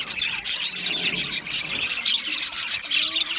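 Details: Australian budgerigars chirping in a busy flock: dense, rapid high chirps and short squeaky whistles overlap continuously, with brief louder bursts about every second.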